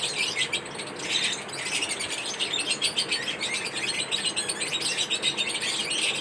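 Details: Daily-routine chatter of pet lovebirds, many sharp high chirps overlapping in a fast, restless twitter that swells and dips every second or so.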